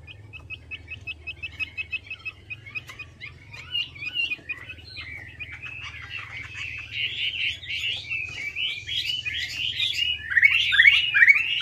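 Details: Melodious laughingthrush (Chinese hwamei) lure song building from soft, evenly repeated short notes into louder, richer tumbling whistles and chattering phrases that swell toward the end.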